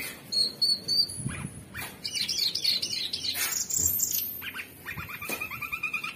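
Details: Orange-bellied leafbird kept as a songbird, pouring out high warbled whistles, buzzy bursts and a closing fast trill, with notes packed closely together.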